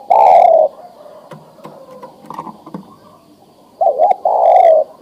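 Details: Male spotted dove, adult and ready to mate, calling a female; a long coo opens, then soft thumps and murmurs, before a two-note coo and another long drawn-out coo.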